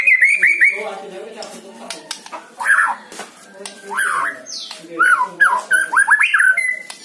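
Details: White-rumped shama song played to stir a caged bird that is reluctant to sing: varied whistled and slurred phrases with quick rising and falling notes, a sharp descending sweep midway, and short gaps between bursts.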